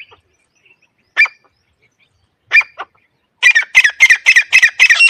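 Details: Grey francolin call, used as a hunting lure: a few separate harsh, loud notes, then a fast run of rasping notes from about 3.4 seconds, roughly four per second.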